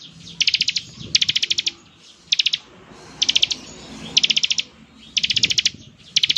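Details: Bar-winged prinia delivering ngebren song, said to get other prinias to respond: a rapid series of high, tight trilled bursts, each around half a second long, repeated every second or so over a faint hum.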